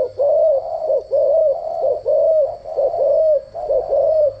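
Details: Decoy cooing of a spotted dove for daily voice training: five mellow, hollow coo phrases repeated about every second in an even rhythm, with a faint steady high tone underneath.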